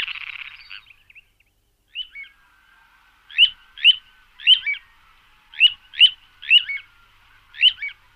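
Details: Little ringed plover (Charadrius dubius) recording used as a lure, giving about a dozen short, high, down-slurred piping notes spaced irregularly across eight seconds after an opening burst of buzzy noise.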